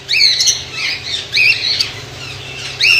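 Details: Colony-kept white lovebirds in Pakistan give shrill arched squawks in short bursts, roughly three loud calls within a few seconds, with softer twittering in the background.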